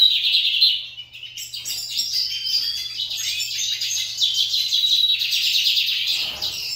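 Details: Competing song from several kept lined seedeaters. A bright warbled phrase opens, a short gap follows, then a long, continuous stream of high buzzy trills and chirps builds. A low rustle is heard at the end.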